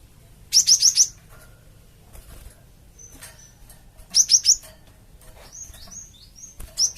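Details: Java sparrow calling to provoke other birds into replying: short bursts of three or four rapid, high, clipped chirps separated by quiet gaps, with fainter thin whistles between bursts.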